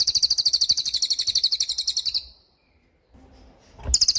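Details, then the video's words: A cililin, recorded as training material for murai batu, gives a two-second volley of rapid, high, ringing notes. A quiet pause follows, then the trill starts again. "MASTERAN TEMBAKAN CILILIN GACOR DOR,SUPER JERNIH & TAJAM"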